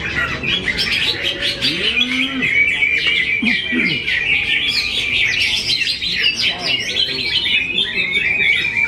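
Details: Greater green leafbird from Kediri pours out a dense, continuous, loud warbling song of rapid varied chirps and trills, with a few lower sliding sounds, possibly voices, beneath.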